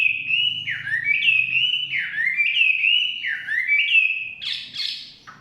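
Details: Chinese hwamei in the forest giving a repeated series of loud whistled phrases, each one rising then dipping about once a second, ending in a burst of sharper, higher notes over a faint low hum.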